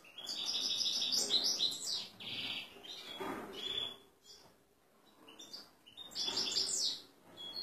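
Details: European goldfinch male in an excited state, ready for a female canary, delivers bursts of fast twittering and liquid buzzy phrases separated by short quiet gaps, with a louder tinkling burst returning near the end.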